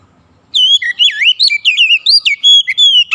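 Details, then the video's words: An Oriental magpie-robin (kacer) pours out a brisk song of pure whistled notes: swooping loops, downslurs and short sharp chips in rapid, irregular succession. The song opens after a brief silence. "SUSUNAN KICAUAN KACER YANG INDAH DAN ENAK DI DENGAR"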